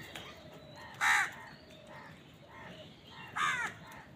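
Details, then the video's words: Many crows calling on a winter morning: two loud harsh caws stand out against fainter distant cawing, with a steady background hiss. "Many Crows crowing sounds and noises on a winter morning"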